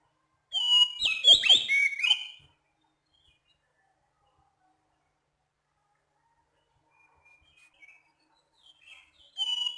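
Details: Oriental magpie-robin, Sumatran type, calling at night: a two-second burst of rich, varied whistles and sharp chirps, then near silence with faint distant notes before another whistled phrase begins.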